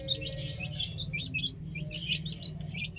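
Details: Chicks on a rooftop cheep in quick high bursts that come in short clusters, with a faint sustained tone and low hum beneath.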